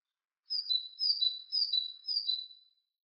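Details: Great tit (Parus major) song of four clear, repeated two-syllable whistles, each stepping down in pitch, evenly paced about twice per second against silence.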